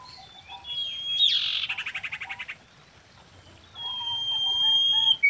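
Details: Common iora singing to attract mates: a buzzy note running into a fast pulsed trill, followed by a long level whistle rising in loudness.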